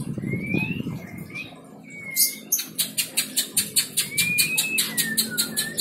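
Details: White-rumped shama song: thin sliding whistles, then a long train of evenly spaced sharp ticking notes about five per second, followed by more descending whistles over faint background hum.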